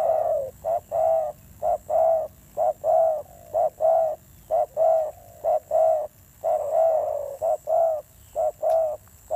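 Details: Spotted dove cooing in a fierce tone: steady, evenly spaced low hollow notes, about one per second, above a continuous low hum and thin high-pitched whine.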